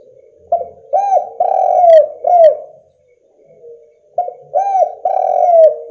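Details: Spotted dove (derkuku, tekukur) in full voice, used as a lure to make rival doves call: two cooing phrases of about four rounded, hollow notes, the last note longer and falling, with a faint steady hum beneath.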